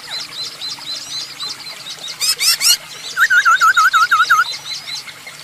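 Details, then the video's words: Masked laughingthrush in spirited song meant as a lure for other birds: a quick string of about eight wavering whistled notes after a burst of harsh chatter, with busy background birdsong throughout. "Burung poksay hongkong gacor untuk pancingan !!!"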